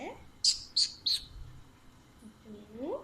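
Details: Pet Alexandrine parakeet, said to be talkative and playful: three sharp, high chirps about a third of a second apart, then a soft gliding voice sound, in a quiet indoor setting.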